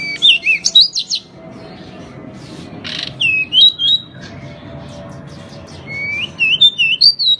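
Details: Pied bushchat singing vigorously: short bursts of high, wavering whistled notes and quick chirps, with a sharp harsh rasp in the middle, then a bright rising-and-falling whistled phrase near the end; quiet low room hum underneath.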